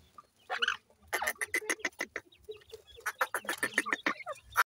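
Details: Grey francolin with chicks, the chicks calling: rapid bursts of short, sharp clucking notes in two runs separated by a brief pause, with a few higher squeaky notes mixed in.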